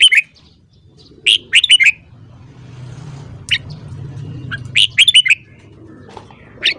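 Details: Red-whiskered bulbul singing in the morning, meant for training other birds to sing. Several short, bright warbled phrases of quick rising and falling notes with pauses between them. A low hum runs underneath.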